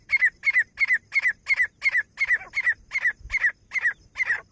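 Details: Pakistani grey francolin (teetar), male and female, played to attract francolins: a fast, steady series of loud, ringing two-part notes, about three per second, harsh and slightly falling, over faint low rumble.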